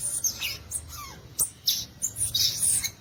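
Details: Song of a violaceous euphonia: a busy jumble of high squeaky notes and chips with one short lower downslurred whistle, over a soft steady hiss.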